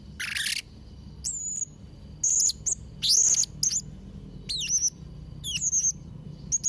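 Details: Blue-crowned hanging parrot singing actively, a recording for training young birds: a harsh broad rasp opens, followed by high thin whistled squeaks, some wavering and some downslurred, spaced about half a second apart.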